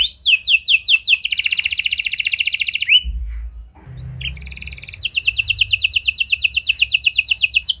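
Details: A heavily singing canary with unique song phrasing, used as a lure to get silent canaries to respond. The song runs as fast buzzy high trills and rising sweeps. A pause near the middle holds a low rumble, then rapid rolling trills return.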